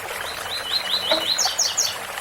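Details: A single tui-tui phrase from a double-collared seedeater. A quick row of slurred repeated notes climbs into three high, sharp final notes, heard over flowing waterfall water.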